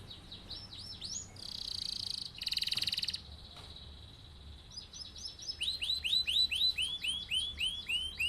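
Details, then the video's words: Singing male canary with a long rolling song, kept as a master bird to teach others: repeated arched notes, then a buzzy trill and a dense rattling roll, ending in a fast series of curved whistled notes. "Kenari gacor cocok buat pancingan atau masteran burung"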